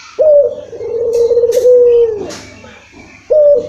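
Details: Barbary dove cooing as a lure to prompt a reluctant bird to call. One long, level, drawn-out coo lasts nearly two seconds and tails off, then a fresh coo starts after a pause.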